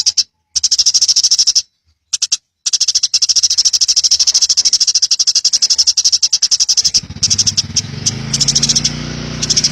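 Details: House sparrow wild 'ngalas' song for training: rapid, high chirps pulse almost without a break, with low background noise growing toward the end.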